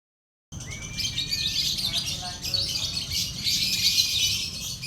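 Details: Lovebirds singing at a night-time bird singing contest: a dense, continuous, high-pitched chattering of rapid shrill chirps and trills, with faint voices of people in the background.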